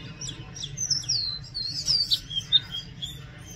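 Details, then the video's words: Oriental magpie-robin song: a run of clear, high whistled notes, some sliding downward, others short and chirpy, delivered in a varied, jumbled phrase over a low steady background hum. "Oriental magpie robin Song | Oriental magpie-robin Sound | Oriental magpie-robin Call"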